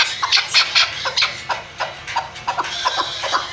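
A chukar partridge gives a fast series of harsh, clucking chuk notes, several each second, rising and falling in loudness. No other sounds stand out.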